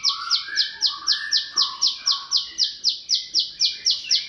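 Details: Bar-winged prinia song used as a training model for cage birds, a rapid, even series of high sharp notes about four per second, over softer lower whistled phrases.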